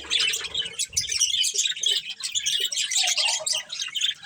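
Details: A breeding pair of budgerigars in continuous lively chirping, high squeaky notes and scratchy warbles tumbling together with small rises and falls in loudness.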